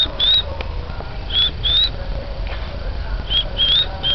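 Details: Oriental magpie-robin singing: clear, high whistled notes, some slightly rising, given in short groups of one or two with pauses between, over steady low rumbling background noise.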